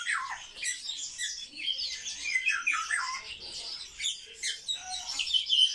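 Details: Captive sparrows, noted as very sociable birds, make harsh squawky chirps and downward-slurred twitters, the chatter swelling in loud bursts between softer stretches.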